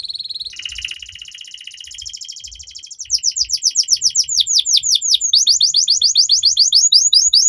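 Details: Canary in continuous tutor song meant to prompt young canaries to sing: a soft rolling trill gives way after three seconds to loud, rapid, repeated downward-sweeping whistled notes, about three per second, growing sharper.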